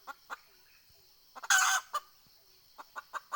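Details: Red junglefowl decoy hen calling to attract wild birds, recorded 20 April 2020: a few short clucks, a loud rasping squawk with clucks on either side, then a renewed quick series of clucks.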